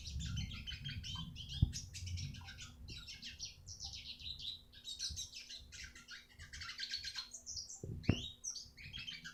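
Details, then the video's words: Eurasian siskin song used as training material for other birds: a continuous run of fast twittering and chirping notes with buzzy trills, plus a few sharp clicks and a low hum beneath. "masteran burung retsiskin"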